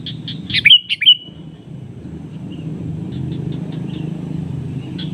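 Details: Sooty-headed bulbul calls out to a rival that answers back, used as a lure: a quick burst of bright, bubbly chirps, then fainter answering notes, over a steady low rumble of traffic.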